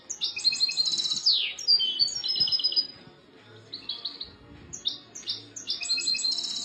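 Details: European goldfinch (chardonneret) singing a bright, high twittering song of quick tinkling trills and chirps, one sweeping descending note, a short lull, then renewed rapid liquid phrases.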